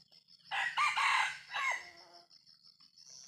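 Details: Junglefowl, 'jalak' variety, giving one harsh, raspy crow in two bursts, the second falling away into a brief tail, while insects buzz steadily in the background.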